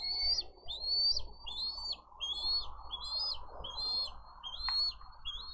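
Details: Bald eagle chick begging for food at a nest on a live nest camera in Dade County, 20 April 2023. It gives a rapid series of thin, high whistled chirps, each slightly rising then falling, about one per second, over a low background rumble.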